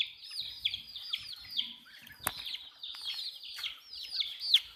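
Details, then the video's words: Young chickens peeping while drinking water: rapid strings of high, falling chirps from several birds at once, with a single sharp click partway through. "MURGI Baby "CHICKS CHIRPING" Sound"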